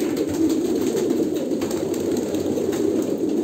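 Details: Continuous low, throaty cooing from a group of Kolkata pigeons, the overlapping notes forming one even, rumbling hum with occasional light knocks.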